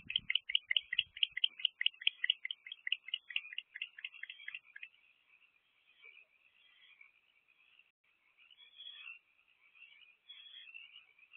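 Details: At an owl box during an evening rodent delivery by both adults, 1 March 2024, 7:24 pm; rapid chittering bursts several per second for about five seconds, then softer, intermittent raspy hissing.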